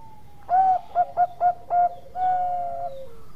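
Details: Bangkok-type zebra dove in full song: a drawn-out coo, then four quick rounded cooing notes, closing with a long sustained coo that slowly slides lower.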